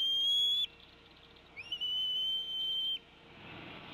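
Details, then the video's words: At the Decorah nest, 29 April 2016 at 15:22, a female bald eagle calls at her incoming mate while feeding an eaglet: a short piercing whistle, a pause, then a longer steady whistle ending abruptly. "Dad ignores Mom's tea kettling"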